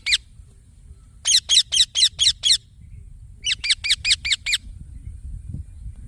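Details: Green parrot chick producing two series of six to eight harsh chirps, evenly spaced and rapid, with a quiet pause between them and soft low rumble underneath.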